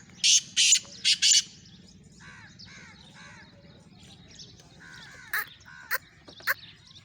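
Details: Black francolin in Sindh, Pakistan: four loud, harsh, grating notes in quick succession open the clip, followed by softer arched chirps of other birds and a few sharp clicks against a low background hum.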